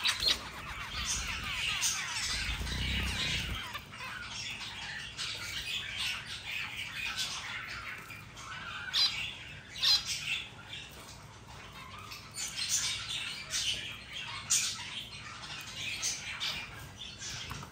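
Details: White zebra finches wagging their tail feathers chatter with a busy stream of short, nasal, high-pitched beeps and squeaks.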